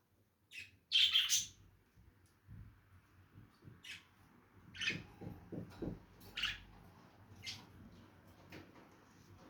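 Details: Lovebird calls: a loud, harsh double squawk early on, then scattered sharp high chirps spaced about a second apart, with soft low knocking sounds in the background.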